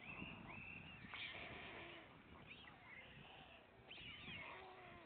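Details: Father white stork feeding the three surviving chicks on the nest; cat-like drawn-out mews and upward-curving whines, several chicks calling together, with faint background rumble.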